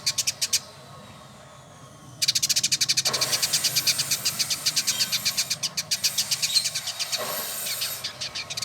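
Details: Caged male village indigobird in Bandung, West Java, Indonesia: brief buzzy pulses, a gap with a faint whistle, then a long, fast rattling trill of harsh buzzy notes, slightly slowing near the end.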